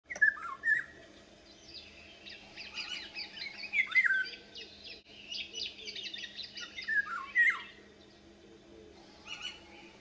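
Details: Female Eurasian golden oriole giving short, fluid, downslurred whistled notes near the middle of its range, in loose groups separated by pauses, with a soft background of other faint bird notes.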